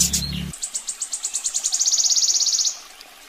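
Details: Sogon song from a master recording for training birds: a series of sharp, high notes that speeds up into a fast, even trill lasting about two seconds, after a brief burst with a low hum.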